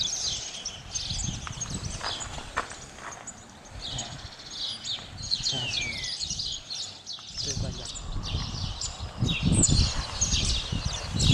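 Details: Spotless starling, Sturnus unicolor: a busy run of high, scratchy chirps and short whistled notes, densely overlapping, with low rumbling background noise throughout and a brief descending whistle near the middle.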